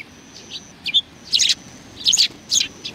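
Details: Sparrows chirping in greeting on 27 July 2020. Loud, bright twittering notes come in close clusters, about five bursts within three seconds, over a faint steady high whine.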